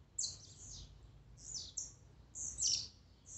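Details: Blue-black grassquit singing, compiled as a warm-up to excite a caged bird; quick high buzzy downslurred bursts, three or four in a few seconds, over soft low hum.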